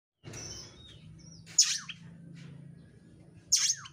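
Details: Oriental magpie-robin song used to provoke another bird into singing, with fast, dense, intense phrasing. High thin whistles, then two sharp piercing downslurred notes about two seconds apart over a steady low hum.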